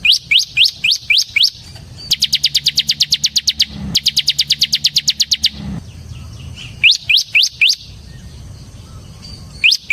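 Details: Bar-winged prinia, ciblek semi, in energetic song for luring and training ciblek: rising high whistled notes in short bursts alternating with long rapid trills of sharp chips, pauses between phrases.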